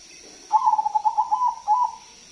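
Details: Crossbred zebra dove (perkutut) singing actively with a big voice, a lure song for other doves: one rolling, trilled cooing phrase of about a second, held steady and slightly wavering, ending in a brief separate final note. Faint steady hiss behind.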